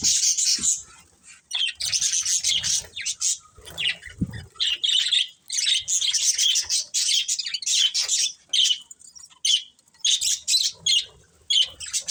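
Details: Budgerigars, a breeding pair, keep up a busy stream of high, buzzy chirps and warbles, pulsing in short repeated bursts throughout.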